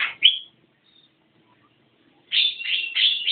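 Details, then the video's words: Javan myna singing: a harsh, scratchy burst of two notes, a long silence, then three rapid raspy, churring notes in quick succession. "Burung jalak kebo gacor"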